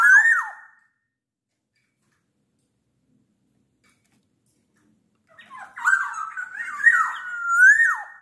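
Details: Black-naped oriole at night: a brief whistled note at the start, then after about five seconds of silence a burst of chattering, warbled phrases ending in a rising fluty whistle that drops away.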